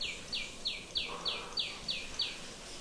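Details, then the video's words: A tiny sunbird gives a series of high, thin, downward-sliding notes, eight in under three seconds, repeated about every third of a second, with a faint low hum beneath. "bird making that sound is a little tiny sunbird."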